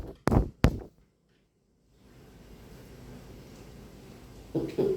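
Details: Two short loud bursts like speech or knocks open an indoor scene, then near silence, low room noise and further thumps near the end, with no animal calls.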